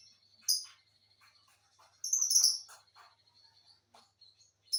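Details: Paired lovebirds with a sharp piercing chirp, then a burst of loud, shrill, rapid chattering near the middle. Quiet clicky twitters run between the calls, and a final high chirp closes.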